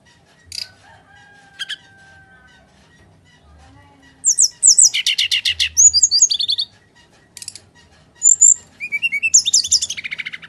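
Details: Brown-chested jungle flycatcher in full fighting song for luring lazy singers: sparse chips at first, then fast rattling trills, twisting high whistles and rising slurred notes in quick succession, with faint low knocks.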